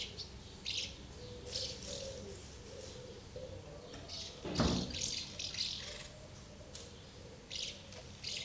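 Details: Many house martins around two nests, feeding young and flying off, recorded 24 August 2012; scattered dry chirps and short rattles, a sudden splash-like noise midway, low hum behind.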